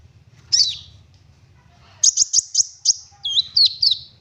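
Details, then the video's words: An olive-backed sunbird sings steadily in 'full nembak' style, a lure for others to sing. One buzzy chip, a pause, then a string of sharp high notes and twisting whistled slurs, over a low background hum. "Konin Gacor Full Nembak Isian Mewah! 99% cocok Buat Pancingan konin Agar Bunyi"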